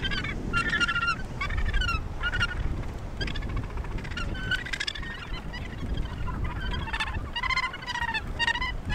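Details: A breeding colony of Australasian gannets at Point Danger near Portland, Victoria, Australia. Many birds give coarse, buzzy honks in short clusters, with several falling at the end and others overlapping. Steady wind noise fills the low range.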